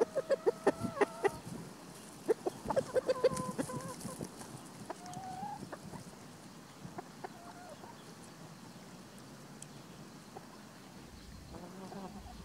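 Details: Free-ranging hens with a protective white rooster in spring; quick bursts of clucking in the first seconds, scattered level tonal calls later, then fading to quieter ground noise.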